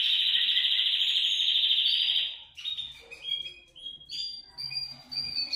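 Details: Canary song used to prompt canaries to sing: a loud, rapid trill for over two seconds, then softer clear whistled notes at shifting pitches.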